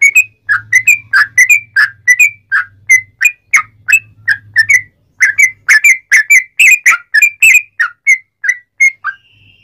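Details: Sooty-headed bulbul in a long rapid 'ropel panjang' song played as a lure to make other bulbuls sing: a dense run of loud, clear whistled notes, rising and falling, about two or three per second, over a faint low hum.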